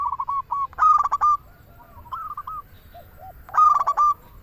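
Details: Local zebra dove song used to lure doves or set them singing: clipped cooing notes leading into loud rolling stuttered bursts, with softer low coos in between.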